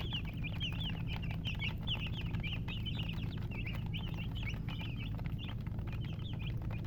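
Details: Chicks chirping together, a dense run of short, shrill, wavering peeps in quick succession, with a constant low droning hum underneath throughout.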